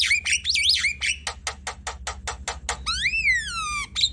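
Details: Javan myna chattering song, used to coax quiet birds into singing; opens with warbled whistled notes, then a run of sharp clicking bursts, and ends with a long falling whistled slur.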